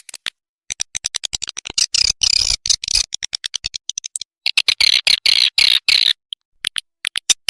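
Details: Edible-nest swiftlet call played to lure swiftlets into a nest house: dense, rapid clicking chirrups and buzzy high twitters in irregular bursts with short silences.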